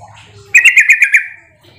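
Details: Sooty-headed bulbul calling to lure others into an answering exchange; a single rapid run of six bright, bubbly chirps that slide slightly downward and fade into a short tail, over a quiet low hum.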